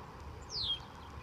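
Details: Red-winged blackbird, one of dozens seen and heard near San Rafael Park: a single thin, high whistle slurring steadily downward for about a quarter second, over a faint low rumble of background noise.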